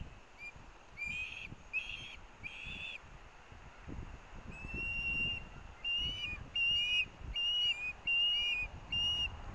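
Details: Osprey chicks at a Missoula, Montana nest on 18 August 2024 vie for fish delivered by the adults. A few harsh bursts open, then a quieter stretch, then a renewed series of sharp whistled calls with downward-curving tails, over low background rumble.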